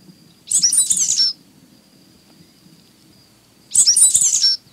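A sooty grassquit gives two short, high, buzzy phrases about three seconds apart.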